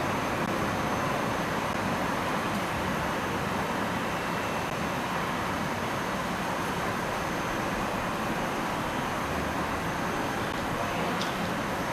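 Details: Steady broadband rumble like passing traffic or a train, with no animal voice standing out.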